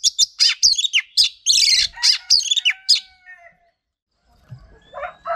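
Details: Oriental magpie-robin, a female used to trigger male singing: three seconds of quick chirps and slurred whistles, then a fading whistle, a short silence and a few softer, lower notes.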